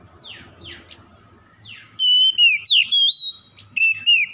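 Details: Magpie-robin 'morning dew' lure song to make stressed birds sing: several soft down-slurred calls, then a loud phrase of sweet whistles with downward slurs and repeated rising-falling notes.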